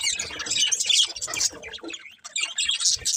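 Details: Budgerigar pair chattering in fast, scratchy high chirps, briefly quieter just after the two-second mark before the busy warble resumes.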